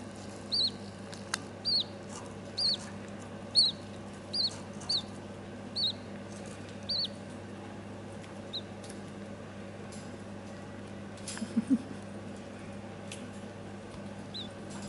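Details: Budgerigar, a mother looking after her chicks, filmed 25 August 2014, giving a quick series of short, high chirps, about two per second, over a steady indoor hum.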